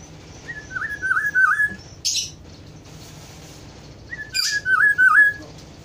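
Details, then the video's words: Black-throated oriole (kepodang hutan) whistling two liquid, wavering phrases a few seconds apart, each preceded by a brief burst of high, hissy chirping. "kepodang hutan ( black throated oriole )"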